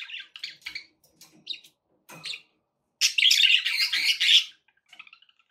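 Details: Indoor budgies give scattered short chirps and clicks, then a loud, dense burst of buzzy, churring warble lasting over a second, fading to soft twitters; played to encourage a pet parrot to eat and sing.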